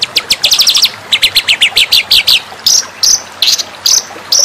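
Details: Master recording of white-rumped shama song for training: a fast series of sharp descending chips in runs of five or six, followed by loud ringing whistled notes spaced about half a second apart.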